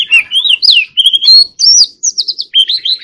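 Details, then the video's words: Loud, clear Oriental magpie-robin song made of fluty whistled phrases that swoop up and down, with a quick run of repeated notes near the end and short gaps between phrases. "choè than hót líu || Kacer Gacor"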